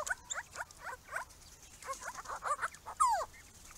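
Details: Grey-crowned Babblers visiting a small pond, trading rapid nasal chatter notes in short clusters, ending with a louder, drawn-out descending call.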